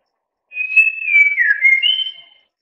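A white-rumped shama gives one clear whistled phrase of about two seconds. It is a steady high note that slurs down, then jumps back up. No other sounds are heard.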